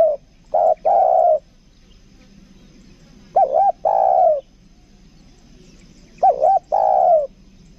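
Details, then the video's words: Caged lure spotted dove, 'kuk dua' style, repeating its phrase three times about every three seconds: quick wavering double note, then a long smooth coo slightly falling at the end. "PIKAT TEKUKUR KUK DUA"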